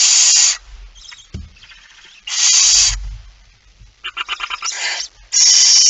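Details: Male barn owl arriving with a mouse at night, 17 September 2019, 23:55: loud harsh hissing screeches of about half a second, with a stuttering run of short rasps near the end and faint knocks between.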